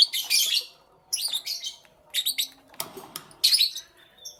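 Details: Lovebirds chirping in the morning: bursts of high, scratchy chirps and twitters, each lasting about half a second, separated by short pauses, with faint softer notes between them.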